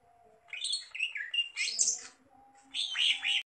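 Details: Greater green leafbird in lively song, mixing varied warbled and squeaky phrases with sharp high twittering notes, broken by short pauses, with a faint low hum in the background.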